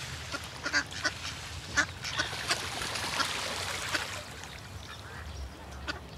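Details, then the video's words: A flock of ducks swimming together on water alongside great white pelicans quacks together, short nasal calls overlapping at an irregular pace over low water and outdoor noise. "It's nice to see a lot of ducks swimming together and it's nice when they sound together"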